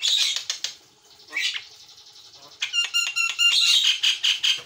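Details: Gacor Javan myna, white-eyed, on a master for training birds: fast scratchy chatter and a harsh squawk, a quiet pause, then ringing harmonic notes and a dense buzzy chattering run.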